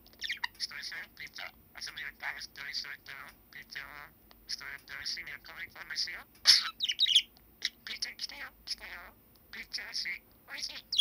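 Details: Seven-year-old male pet budgerigar chattering toward the camera at home, December 2019, a bird that usually mimics human phrases: a long, nearly continuous run of rapid, raspy, voice-like syllables with brief gaps and a few sharp clicks.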